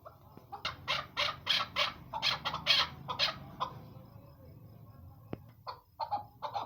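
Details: Female chukar partridge uttering a burst of rough, rhythmic clucking notes for a few seconds, then quiet handling noise, a sharp click and a few softer clucks at the end.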